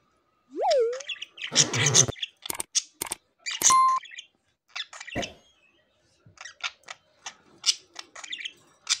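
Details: Pet budgerigars chirp in quick, scratchy bursts, mixing short clicks and buzzy notes.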